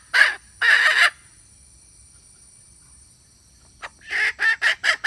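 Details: Hen calling as a decoy sound for luring and trapping, recorded 2021: two loud harsh clucking bursts, a long quiet pause, then a quick run of four or five raspy notes.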